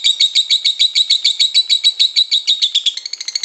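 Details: Lovebird giving the long ngekek chatter in kusumo style, used to train other lovebirds. Fast, evenly pulsed harsh notes run steadily, then quicken and thin out near the end.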